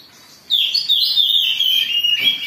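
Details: Oriental magpie-robin in agitated song used to provoke other birds into singing: a loud, slightly buzzy phrase starting high and stepping down in wavering notes for about two seconds after a short silence.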